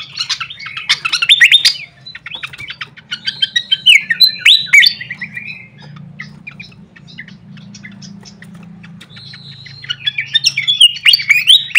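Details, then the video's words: Flycatcher lure sound used as a training recording to see birds' reactions: rapid bursts of high, sharp chirps and trilled twitters, some sliding down, repeated in dense flurries, over a steady low hum throughout. "suara pikat khas srikatan kipas"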